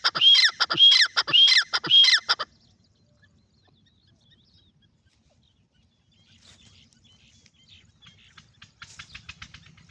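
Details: Francolin giving four loud, harsh, grating notes, one roughly every 0.6 seconds, then a long quiet stretch with faint scratchy rustling and soft clicks toward the end.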